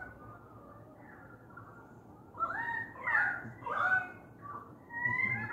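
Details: Australian magpies with currawongs gathered noisily outside a house window: a jumble of loud, rich warbling and fluting notes, with swooping and rising phrases in bursts, over quiet indoor background.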